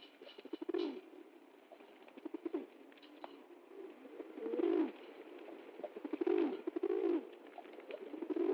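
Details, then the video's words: Pigeons give low rolling coos in irregular bursts, several birds overlapping, with scattered clicks and a soft noisy background. "Голуби курлыкают, звуки голубей"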